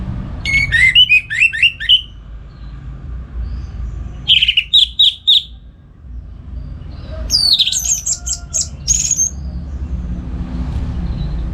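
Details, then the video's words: Morning song of a kept orange-headed thrush in northern Bali, used for training other birds: rapid runs of sharp whistled notes in three bursts, the last higher and scratchier, amid steady low background noise. "Pagi Hari Hari ANIS MERAH Ngeplong Gacor Untuk Pancingan & Masteran Burung Dirumah"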